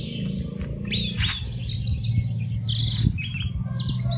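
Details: Orange-headed thrush teler song used to train caged birds: quick slurred whistles and descending chirps tumble in a continuous stream, backed by loud low droning hum.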